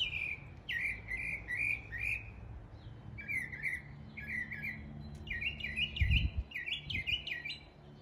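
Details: Mockingbird copying local birdsong in East Tennessee: repeated slurred whistles, then lower warbled phrases, then doubled rising notes, each pattern given several times, with a brief low knock near the end.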